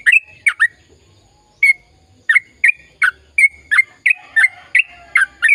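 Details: Sooty-headed bulbul singing a chatty, long rapid-fire song meant to get silent birds singing: clear, bubbly whistled phrases of two or three quick notes, separated by short pauses, with a faint low hum behind.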